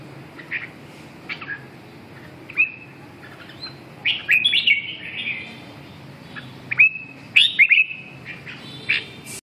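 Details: Red-whiskered bulbul practising its voice: scattered chirps building to clusters of lively warbled notes, the loudest near four and seven and a half seconds, against a faint low hum.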